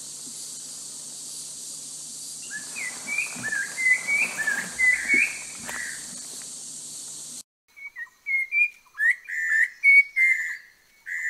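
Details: Orange-breasted laughingthrush (Garrulax annamensis), endemic to southern Vietnam's Langbian Plateau, giving a run of short, clear whistled notes, some rising and some slurred, about three a second, over a steady high hiss of insects.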